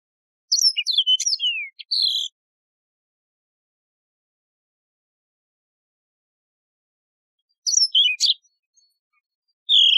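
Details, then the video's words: Mozambique serin, or Yellow-fronted canary, singing high sweet phrases of falling whistles and chips. A phrase of almost two seconds is followed by a long pause, then a shorter burst, and a new phrase begins at the very end. "شريط تغريد البسبوس الموزمبيقي"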